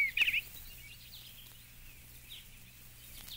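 A brief, soft, warbled phrase of a few quick mid-pitched notes from an Eastern Bluebird, then faint distant notes over a quiet background hiss.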